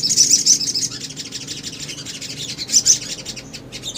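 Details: Little spiderhunter song played as a lure to make other birds respond: dense, very high, sharp chirps and twitters in rapid bursts, loudest at the start and again near the end, with a faint low rumble underneath.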